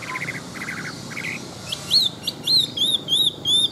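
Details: Large adult Chinese hwamei, wild-caught and kept caged as a fighting bird, gives buzzy grating notes, then a string of loud high arched whistles repeated about twice a second.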